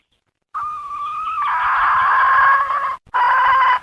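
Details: Hen calling: a thin steady tone that turns into a long, harsh, buzzy drawn-out note, then breaks off and resumes with a shorter raspy burst.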